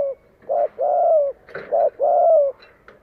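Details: Cooing decoy spotted dove luring wild birds to fight: low hollow coos in close sequence, a short note then a long slightly falling coo, repeated, with faint background chirps.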